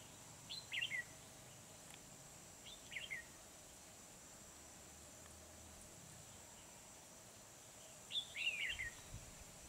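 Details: Red-whiskered bulbul used as a decoy, singing during trapping at Kim Bôi on 10 December 2020. Three short, bright warbled phrases come at about one, three and eight and a half seconds over a steady high hiss.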